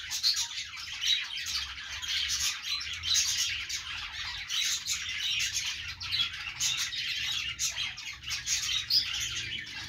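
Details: Budgerigars chirping continuously, a dense chattering mass of warbled and squawky notes from several birds with no clear pauses, over a faint low rumble.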